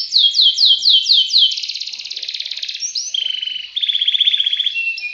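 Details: Canary in ngerek ngacor song: five or six clear downward-slurred whistles, then a long dense rattling trill that drops to a lower, steady rolling phrase.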